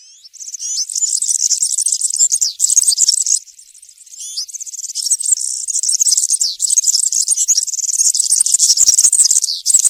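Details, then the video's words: European serin singing the country style (cante campero) in woodland: a sustained, very high jingling, buzzy torrent of rapid notes, with one brief pause near the middle, no other sounds. "𝗥𝗘𝗖𝗟𝗔𝗠𝗢 𝗩𝗘𝗥𝗗𝗘𝗖𝗜𝗟𝗟𝗢 𝗖𝗛𝗔𝗠𝗔𝗥𝗜𝗡 𝗖𝗔𝗠𝗣𝗘𝗥𝗢. 𝗘𝗗𝗨𝗖𝗔𝗥 𝗬 𝗠𝗢𝗧𝗜𝗩𝗔𝗥 𝗩𝗘𝗥𝗗𝗘𝗖𝗜𝗟𝗟𝗢. 𝗖𝗔𝗡𝗧𝗢 𝗖𝗛𝗔𝗠𝗔𝗥𝗜𝗡 𝗘𝗡 𝗘𝗟 𝗕𝗢𝗦𝗤𝗨𝗘"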